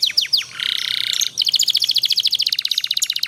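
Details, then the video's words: Young canary learning to sing, recorded with a master song for training: quick downward-sweeping chirps, a sustained buzzy trill, then a long rapid rolling series of high notes, loud and clean. "kenari paud belajar bunyi jadi cepet gacor ngerol panjang durasi panjang"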